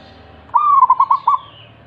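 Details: Local wild zebra dove singing, used to coax lazy doves into song: one phrase of about a second, a smooth opening coo breaking into five quick pulsed, bubbling notes at a steady pitch.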